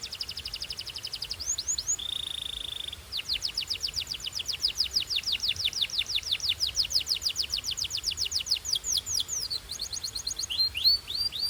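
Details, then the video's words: Canary singing in what is described as pure Belgian style: rapid trills of short, sweeping high notes, a steady held whistle near two seconds, then a long fast rolling tour and brighter chopped notes at the end, over faint background hiss. "This Canary’s Melody Makes All Birds Join In – Pure Belgian Singing"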